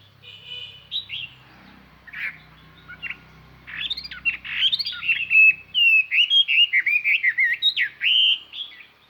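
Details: A Chinese hwamei kept as a decoy sings to draw wild hwamei, its song ringing and carrying far: soft varied notes build into a loud, fast sequence of warbling, looping whistles repeated steadily over the last five seconds.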